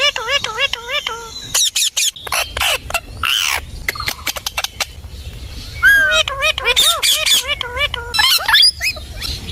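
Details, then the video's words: Rose-ringed parakeet talking, with rapid wavering, speech-like warbled phrases mixed with sharp squawks and clicks in bursts, some notes rising and falling in quick loops. "Ringneck Parrot Talking"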